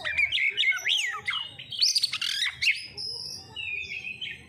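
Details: Lure song of an oriental magpie-robin, used to trigger energetic singing: looping whistled phrases rise and fall, then a burst of harsh high chatter gives way to long, thin, steady whistles.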